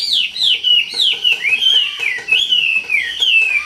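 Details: Wambi in lively song, continuous descending whistled slurs, each falling from high to mid pitch, linked in a fluid rolling warble.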